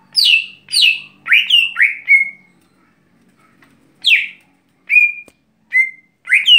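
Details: Lesser green leafbird, a captive bird in its daily song: loud clear whistled notes sliding down and up, each note with a sharp high start, given in quick bursts with short pauses between.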